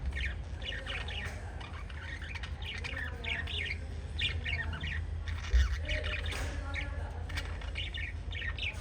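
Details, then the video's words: Five pet lovebirds in a parrot family chirping: repeated short high chirps in small clusters throughout, over a steady low hum. "Five Little LOVE Birds Chirping Sound"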